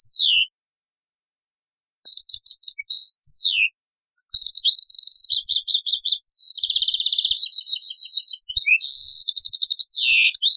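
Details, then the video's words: European goldfinch taqsrain song from an old cassette: falling slurred whistles, then a long, nearly continuous stream of fast, buzzy, tinkling trills and rattles mixed with sweeping notes. "تغريد تقصراين من كاسيت قديم"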